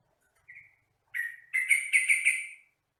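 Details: Training recording of a sooty-headed bulbul (trucukan, jogjog) for caged birds: a soft short whistle, then a pause, then a liquid phrase of about five bubbly, rolling notes that rise slightly and fade.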